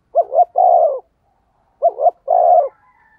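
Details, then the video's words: Luring coo of a spotted dove: two deep, soft phrases about one and a half seconds apart, each a brief trembling double note sliding into a longer, even coo. "tiếng chim cu gáy thúc gù hay nhạy bổi, bổi nghe rất xiêng gáy"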